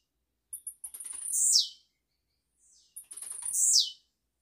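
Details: Blue-black grassquit kept in a cage, recorded live for young birds, delivering two high rasping song phrases, stuttering clicks building into a loud downward buzzy sweep, about two and a half seconds apart.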